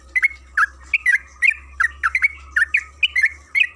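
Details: Yellow-vented bulbul (trucukan kebo), a lure recording used to make other bulbuls sing, in the long rapid 'gacor ropel panjang' style: quick bubbly chirps and short warbled phrases, about fourteen notes in under four seconds, over a faint low hum.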